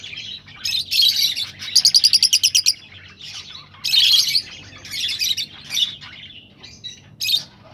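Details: Rosella chatter aimed at stimulating mating: bursts of high twittering, a fast even run of about ten clipped pulses, then more rising and falling chirp clusters.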